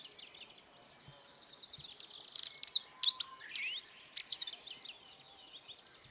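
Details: Godlewski's bunting, Emberiza godlewskii, from the Altai mountains of Siberia, delivers a bright, rapid phrase of high chips, downslurred squeaks and twitters over roughly two seconds. Fainter chatter from other birds runs underneath.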